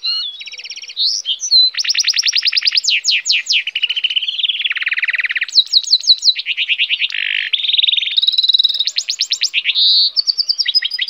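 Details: Goldfinch hybrid singing a long, varied song of rapid trills, buzzy rattles and clear whistled notes, switching phrases every second or so and running almost without pause; no other sounds are heard.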